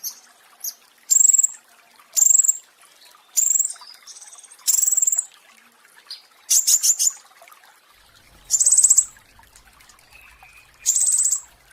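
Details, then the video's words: Flowerpecker known as pentis raja, recorded as song-training material for cage birds and said to spark breeding excitement; very high, piercing chattered bursts and thin whistled notes arrive about every second, with quiet gaps between. "Masteran Pentis Raja ~ Musuh Langsung Birahi Masal (Suara Asli)"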